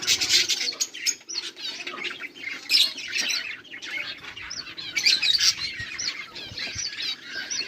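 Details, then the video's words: Budgerigars recorded on 18 July 2023 chatter steadily in high, squeaky chirps and warbled phrases, with loud bursts near the start and later. "budgies beautiful sounds and chiriping"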